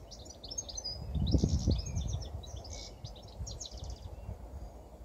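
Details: Spring 2017 goldfinch perched on a TV aerial, singing a fast jumble of high liquid twitters and short trills, fairly faint behind loud low rumble and traffic-like noise peaking mid-clip.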